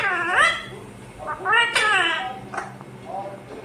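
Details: Pet rose-ringed parakeet said to be talking 'mummy papa'; a few clear, harmonic, speech-like phrases, each first rising and then falling, set apart by short pauses, with a faint steady hum in the background.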